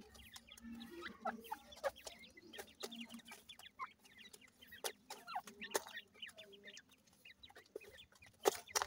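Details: Grey francolin chicks calling, many short high peeps and chirps scattered through the clip, each brief and slurred up or down, mixed with soft tapping and clicking noises.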